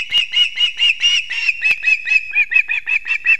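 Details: At a Latvian osprey nest in Kurzeme on a September morning, the male arrives with two fish for the young; a steady run of sharp, high whistled chirps, closely spaced, with a faint click partway through.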